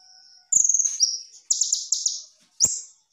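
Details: Kolibri ninja sunbird in 'tembakan' tutor song: a thin steady whistle, a sliding high note, then a rapid buzzy trill and a final sharp rising whistle.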